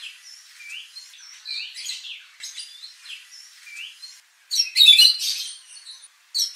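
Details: White-rumped shama singing to provoke contest birds into aggression: soft, varied upslurred whistles and chips at first, then a sudden loud burst of dense, scratchy, high notes after a short silence.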